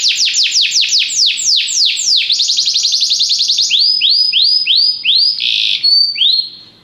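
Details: Belgian canary singing for training: a string of loud descending whistled sweeps, then a quick trill, followed by slower rising-and-falling arched notes and a brief harsh burst before fading.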